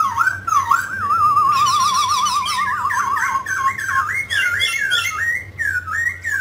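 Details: Singing mutant grey laughingthrush: a long wavering whistle with rapid vibrato, joined by a buzzy high overlay, then looping, rising and falling whistled phrases; steady low hum behind.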